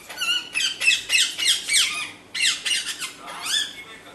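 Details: Parrot squawking in harsh, buzzy bursts, several to a second, each with stacked overtones and sliding pitch, a short pause midway, then a final drawn-out descending squawk.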